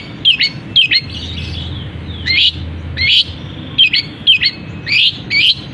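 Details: Long-tailed shrike kept caged, in full song with borrowed canary and other bird phrases once its cover comes off; short buzzy high chirps, repeated roughly every half second with brief gaps, over a faint low hum.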